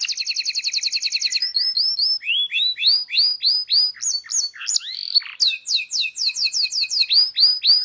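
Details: Local canary in a training recording for teaching song: rapid rolling trills of sharp repeated notes, shifting between fast buzzy bursts, bright chirps and slurred whistles, about three to four notes per second.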